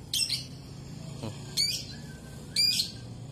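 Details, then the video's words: A lovebird gives three sharp, high, buzzy chirps, about one a second, with a faint low hum and a brief clack between them. "Suara lovebird"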